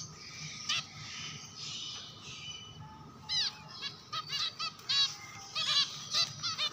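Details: Java sparrows giving bursts of sharp, high, repeated chevron-shaped notes and clipped chips, the bursts quickening in the second half, over a soft hiss and low hum.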